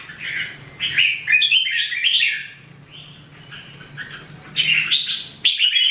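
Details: Red-whiskered bulbul singing in 2017, short warbled phrases of bright rising and falling notes, loud bursts separated by quieter gaps, with a low steady hum underneath.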